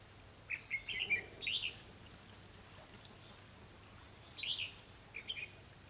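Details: Decoy red-whiskered bulbul at a Vietnamese trapping site sings clustered chattering whistled phrases, a group of rapid notes, a long pause, then two short phrases; quiet low hum underneath.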